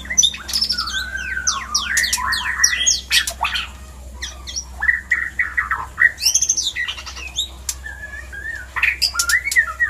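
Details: White-rumped shama mating-call song, used as a lure to trigger breeding arousal in other shamas: a rich, varied pour of loud whistles, sharp rising sweeps and squawky notes in rapid bursts, with a low steady hum underneath.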